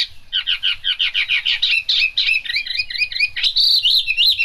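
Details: Chinese hwamei singing in the rain: rapid, evenly repeated whistled notes build into a tumbling, varied warble of high slurs and trills.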